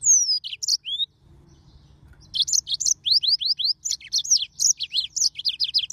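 A yellow-fronted canary sings a fast, high, sweet run of chirps and slurred whistles, after a brief opening phrase and short pause.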